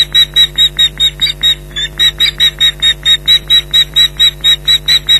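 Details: Alarm calls from ospreys defending their Loch Garten nest against an intruder, July 2011: a continuous series of sharp, high yelping notes at about two per second, steady and insistent, with low constant hum behind.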